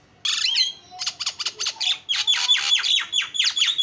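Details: Starling giving a lure song: a loud whistled squawk, then a stream of descending scratchy notes and rhythmic buzzy chatter repeating several times a second.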